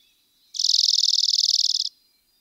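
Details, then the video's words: Dark-eyed junco giving a single fast, even trill of high buzzy notes, lasting just over a second, against a quiet, clean background. "How does Black eyed Junco sound? | Bird Call | Chatter Sounds"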